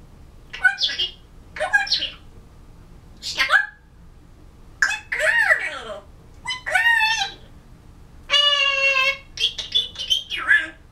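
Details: An African grey parrot at home, November 2011, imitating a Disney song and practicing words: a run of about eight rapid speech-like syllables, some swooping, ending with a sustained tone and a short chattering phrase.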